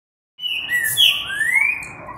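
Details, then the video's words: Green-winged saltator singing eagerly on an October morning at 11:13: a short phrase of clear whistled notes, one sliding down and then a long rising whistle, with faint background noise. "Trinca cantando com vontade"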